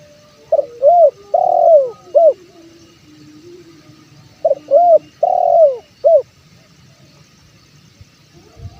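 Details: Male spotted dove (tekukur) in Indonesia, calling to draw in wild birds: two repeats of a four-note cooing phrase, short, arched, long and falling, then clipped, about three seconds apart, with soft background hum.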